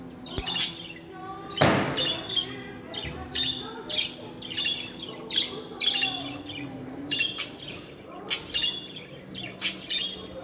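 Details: Budgerigars kept as pets, sound meant to make budgies sing and speak; a rapid run of raspy chirps, some buzzy squawks and warbles, roughly one every second, plus a sharp click near the start.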